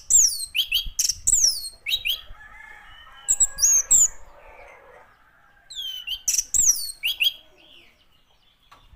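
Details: Orange-headed thrush giving clear, high, down-slurred whistles in small clusters separated by pauses, with a faint low mutter in between.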